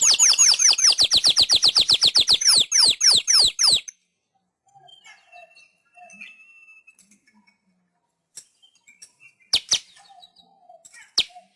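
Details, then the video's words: A weaver sings on an Indonesian master track meant to train pet birds. A dense burst of fast, high, sweeping notes repeats almost four times a second for nearly four seconds, then scattered faint chirps follow after a pause. "Masteran Suara Burung Manyar"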